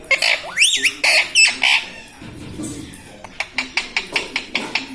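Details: Talking pet ring-necked parrot indoors saying words like mummy, papa and radhe radhe; several loud harmonic syllables with upward sweeps, a quieter pause, then a fast run of short clicks or taps.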